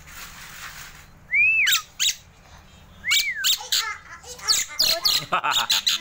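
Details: Javan myna (jalak kebo) singing actively (gacor) while held in the hand, a bird learning to imitate human voices: two clear whistles rising then falling, then a run of harsh squawks and chattering notes, with human voices and music nearby.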